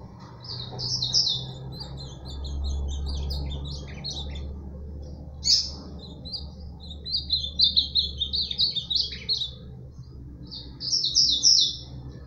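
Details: Ultramarine grosbeak, known locally as azulão, singing repeatedly: bright warbled phrases of quick high notes, a short one near the start, another mid-clip, then a longer rapid run and a final burst, over a low steady hum.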